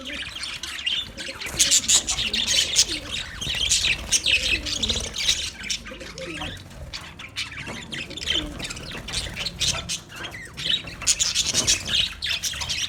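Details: Budgerigar colony in full chorus, a continuous wash of buzzy, scratchy warbles and short squawks, with several faint low sliding notes mixed in.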